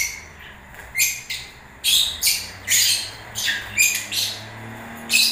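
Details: Harsh, rasping lovebird squawks during breeding season, repeated roughly every half second to one second in short shrill bursts.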